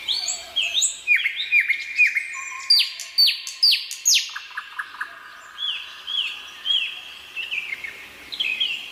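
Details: Sunset song of a common nightingale in an evening forest, Krasnodar Krai, Russia: clear downslurred whistles repeated in steady series, mixed with brief chirps and a low sustained tone, continuing throughout.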